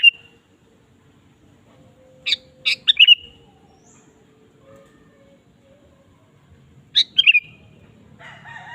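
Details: Sooty-headed bulbul in full song, meant to lure other kept bulbuls into singing: a clipped note, pause, then a lively run of sharp notes and liquid slurred whistles, repeated once later; quiet hum underneath.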